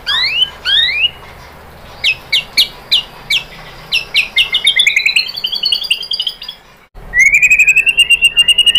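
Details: White-rumped shama singing, used as a lure to make other shamas sing: rising whistled slurs, a series of sharp clicking notes, then long rapid rising trills of bright whistled notes.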